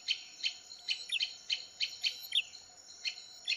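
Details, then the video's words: Lure sound of a male and female bar-winged prinia calling back and forth: bright, clipped chip notes repeated about twice a second, some doubled, over a faint constant high-pitched hum. "SUARA PIKAT BURUNG PRENJAK JANTAN & BETINA RIBUT"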